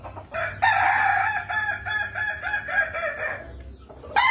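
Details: Kukuak Balenggek rooster, a Minangkabau singing chicken breed, crowing: a long, loud, tiered crow broken into many stepped syllables of steady pitch, held for over three seconds before fading, with a new crow starting at the end.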